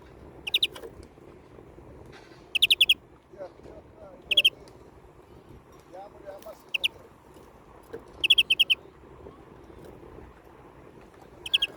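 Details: European greenfinch, a pet bird kept indoors, giving short, bright rattling trills about every two seconds over a low indoor hum.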